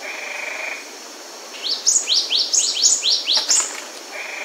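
A cinereous tit gives a fast run of about ten thin, high, upslurred notes in two seconds, framed by a steady high whine before and after.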